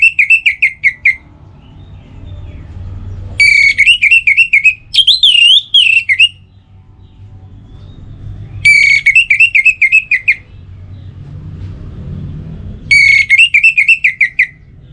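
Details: Orange-headed thrush song for stimulating kept birds to sing, morning and evening: four bursts of rapid trilled and warbled notes, one roughly every four to five seconds, with quiet gaps and a low background hum.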